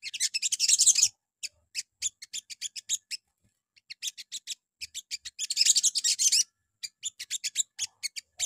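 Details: Sogon lure song played in the morning to provoke other sogon birds to answer: very high, dry chirps in rapid series, with two dense scratchy bursts near the start and middle, then spaced ticking notes.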